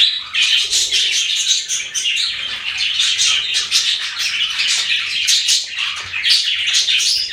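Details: Steady chorus of chirping budgies, a dense unbroken wash of high twittering and scratchy warbled notes at a constant level.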